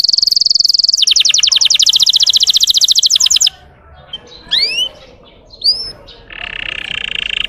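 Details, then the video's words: A Russian canary sings to rouse other canaries: a steady high trill breaks into a fast pulsed roll, then a pause with a few rising whistled sweeps and a buzzy trill. "PANCINGAN SUARA BURUNG KENARI RUSIA UNTUK MANCING EMOSI BURUNG BAHAN"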